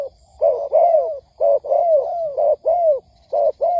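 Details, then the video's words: Spotted dove call used as a trapping lure: full, hollow coos in pairs, the second note stretched and falling. The pairs come close together, about once a second, ending on a short note. "Tiếng Chim Cu Gáy kích bổi nhanh nổi"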